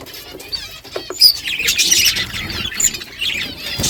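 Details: Budgerigar flock on a morning, exchanging thin chirps, short whistled notes and scratchy warbles that build into busy overlapping chatter.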